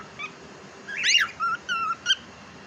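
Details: Pet cockatiel, kept at home and described as talking, gives a faint short chirp, then a loud rising-and-falling whistled squawk and two flatter whistled notes, ending with a sharp chirp, over steady low background hiss.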